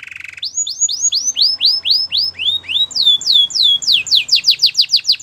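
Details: Belgian singing canary producing a brief low trill, then an accelerating run of sweeping downslurred whistles that shift pitch and quicken toward the end.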